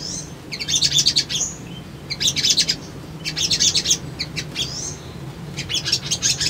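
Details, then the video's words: Sunbird song used as a lure to make birds respond and seek a rival, for newly caught birds: high, sharp twittering bursts, each about a second long and separated by short pauses, with thin rising whistles between them over a low background hum. "SOGON GACOR PANCINGAN BAHAN IJOAN❗ CUMA 1 MENIT❗PASTI RESPON"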